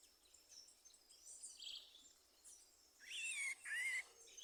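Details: A bird gives two clear whistled notes, each rising and then levelling, close together late in the phrase. A faint high hiss or buzzing continues throughout.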